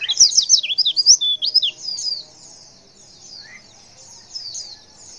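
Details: A female white-eye gives a call meant to provoke males into responding: an opening run of loud, quick, high twisting chirps for about two seconds, fading into quiet, thin high twittering with one short lower note.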